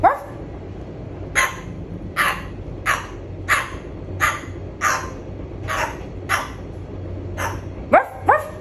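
A cockatoo gives short, harsh bark-like notes about once every half to one second, a close imitation of a small dog barking, with faint background hum.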